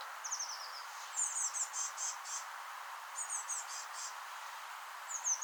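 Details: Fledgling Eurasian blue tits that have just left their nest in a rowan, calling while fed: a descending trill of thin notes, then clustered high buzzy chirp series in two bursts, a final high squeak, light outdoor hiss.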